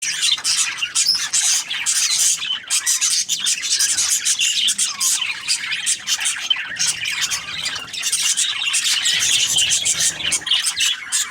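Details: Budgerigars chirping as a group, a dense, continuous high chatter of rapid squeaky chirps and short squawks that overlap without pause throughout, with no other clear sounds.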